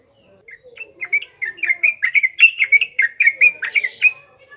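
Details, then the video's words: Yellow-vented bulbul song suited as a training lure: a single lively phrase of quick, rich bubbling notes, rising in volume then trailing off, over faint lower chatter. "SUARA BURUNG TRUCUKAN NGROPEL NGALAS COCOK BUAT PANCINGAN BAHAN"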